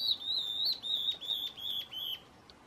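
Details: Stripe-backed Antbird (Myrmorchilus strigilatus), a ground-foraging bird of northeastern Brazil, gives a clear, high whistle of about two seconds, wavering slightly and sliding gently downward before fading, with faint clicks behind.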